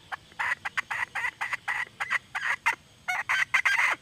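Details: Female red junglefowl in a long run of rapid, clipped notes, about five per second, with a brief break partway through. The later notes grow louder and more strident against a quiet, murmuring background.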